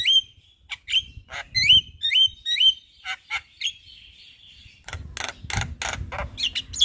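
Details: Javan myna singing its repertoire by day in front of a house: repeated rising whistled notes with sharp clicks, a drawn-out whistle, then a run of harsh broadband rasping notes.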